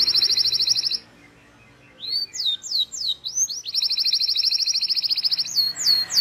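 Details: Long-rolling canary lure song for young canaries learning to sing: a steady fast trill, a short pause, then swooping whistled notes leading into a long, even, rattling trill.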